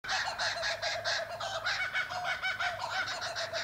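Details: Laughing kookaburras in forest in Australia give a raucous chorus, harsh cackling notes tumbling rapidly, several per second, rising and falling; currawongs and Australian ravens may also be heard.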